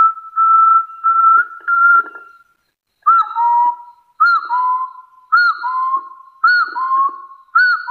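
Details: Hill partridge calling to challenge rivals: a steady whistled note holds at first, then paired whistles follow, each a short upward-curling note and a lower rising one, repeated roughly every second, clean and without background sound.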